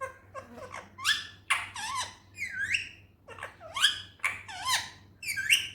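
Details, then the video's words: Indian ringneck parrot talking in a natural voice: a string of squeaky, high-pitched, harmonic syllables with swooping bends and wavering contours, broken by short pauses, over a steady low hum. "Natural talking parrot voice"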